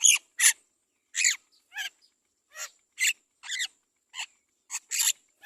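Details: Great myna chick being fed carefully by its mother: harsh, raspy, broadband squawks in short bursts, about eleven over five seconds, irregularly spaced, some doubled, with silence between.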